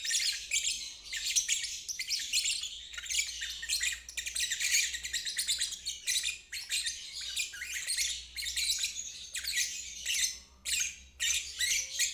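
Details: Lovebird in ngeriwik style, played to help young or stalled birds learn the trill. Rapid, scratchy high chatter comes in long bursts broken by brief pauses, growing choppier toward the end.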